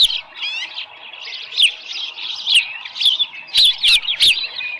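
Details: Osprey nest at Dunrovin Ranch, early morning 13 July 2018, small live fish delivered: a rapid trilled note opens, then continuous high squealing chirps, growing louder, with a few sharp clicks near the end.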